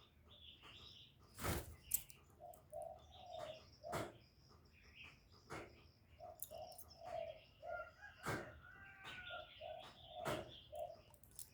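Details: Decoy spotted dove calling to attract wild doves, repeating groups of low, soft coo notes between loud sharp knocks, with high twittering of small birds throughout.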